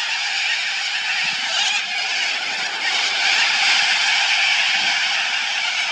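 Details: A large flock of Little corellas at Biloela screech harshly, their grating calls merging into a loud, unbroken wall of noise.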